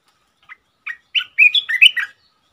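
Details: Newly caught red-eyed bulbul, the first captive of the year, used as a lure bird on 15 January 2022: two soft chips, then a quick, bubbly, slightly scratchy run of high liquid warbled notes lasting about a second.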